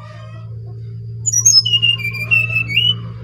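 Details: Brown-chested jungle flycatcher from Bali in full song: a short phrase of clear whistled notes, high then dropping to a steady mid-pitched whistle, repeated in bursts over a low steady hum.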